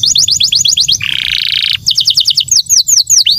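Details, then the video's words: Canary song: fast repeated high chirps, a sustained buzzy roll, then rapid trilled notes and falling whistles. "Kicauan kenari super"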